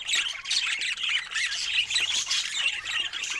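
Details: A flock of pet budgerigars, with parrots nearby, makes bright, busy twittering: overlapping short squeaks and warbled notes rising and falling without pause.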